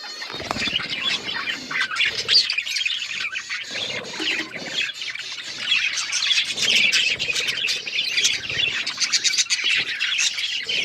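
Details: Australian parrots, budgerigars, keep up a steady, crowded chorus of raspy chirps, squeaks and warbled chatter that grows denser toward the end.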